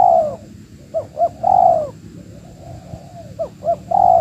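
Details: Wild Spotted Dove answering during a lure-trapping outing: a drawn coo, then two quick clipped notes and another long mellow coo, the pattern repeating with a faint thin hum behind.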